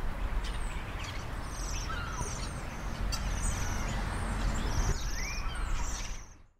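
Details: Bohemian waxwings on the Isle of Man give high, thin, bell-like trills, short silvery bursts roughly once a second, over a steady low rumble of wind or distant traffic.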